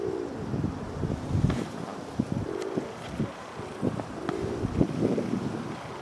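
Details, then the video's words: A domestic pigeon coos in low, throaty rumbles, repeated over a steady wash of wind and distant traffic, at Prule, Ljubljana, on 27 February 2023. "Columba livia domestica MESTNI GOLOB"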